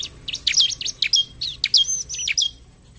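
Bar-winged prinia giving a lively burst of high, sharp chirps and quick sweeping notes, about a dozen in three seconds, over a faint low hum.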